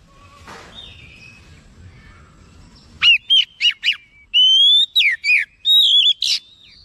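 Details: Oriental magpie-robin responding in an agitated state, opening with soft faint notes, then a lively series of sharp whistled notes, long clear rising whistles and wavering phrases, ending in a harsh burst.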